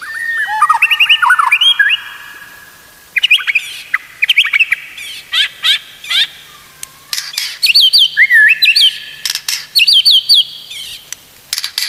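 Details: Song of a white-rumped shama, played to tutor other shamas: bursts of rich warbled whistles and slurred loops separated by short pauses, some phrases climbing higher, others dropping.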